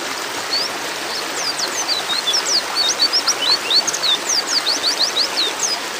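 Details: A chorus of white-eyes, played as tutor audio to get captive white-eyes singing, gives many thin, high chirps and short slurred notes, about four a second, over a steady hiss like running water.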